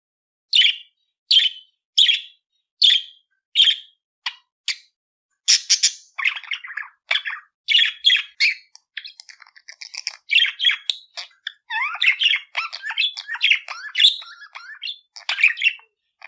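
A budgerigar gives a run of sharp, evenly spaced chirps, then breaks into fast, scratchy warbling chatter.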